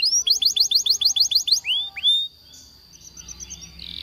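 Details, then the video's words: A Waterslager canary sings a fast string of about eight bright rising whistled notes, then two longer upswept whistles, trailing into soft rapid twitters, as a training song for canaries. "The Best Canary Sound!!! Reliable for Waterslager Canary Training"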